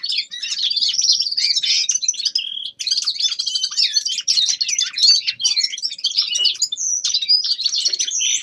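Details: Young male common linnet in winter warm-up singing: a dense, continuous twittering run of quick chirps, trills and buzzy notes with little pause, steady in loudness throughout, over a faint low hum.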